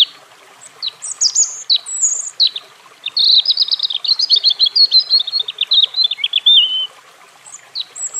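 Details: European robin singing: high thin whistles and sliding notes at the start, then a long rapid run of shrill trilled and warbled notes, ending with a few scattered high phrases.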